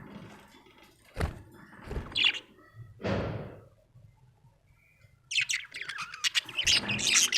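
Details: Happy budgerigar chirping: a few thuds and brief scratchy notes, then a dense run of rapid, buzzy, high chirps filling the last two seconds.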